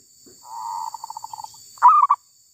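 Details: Wild female zebra dove taken while trapping: a soft drawn-out coo breaks into a rolling string of quick short coos, then one loud three-note cooing phrase follows, against constant faint high-pitched hiss.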